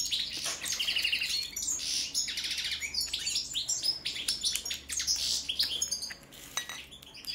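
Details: European goldfinch, subspecies Carduelis carduelis balcanica, singing a rapid, dense twittering run of high, tinkling notes and short trills with buzzy accents, delivered in quick bursts with barely any pauses.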